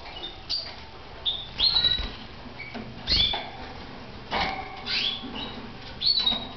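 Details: Caged red mosaic canaries singing in short bursts of bright whistled and trilled phrases, separated by brief pauses, with some rustling in the background.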